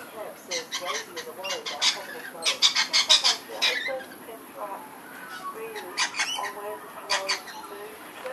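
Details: Young lorikeets frolicking and playing together in a garden during a feeding visit, March 2011: bursts of harsh, scratchy squawks in rapid, uneven clusters, loudest mid-clip, while a man talks calmly underneath.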